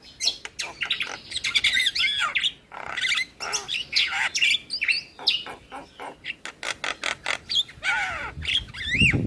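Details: Javan myna lure song packed with varied fill-in phrases: rapid mix of whistled sweeps, harsh chatters and clicks, bursts of notes roughly every half second with short pauses.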